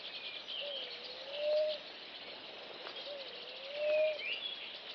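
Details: Namaqua dove giving low, drawn-out tonal coos: two long notes that dip, then rise and swell near their ends, about 2.4 seconds apart. A steady high hiss of insects and faint bird chirps runs behind them.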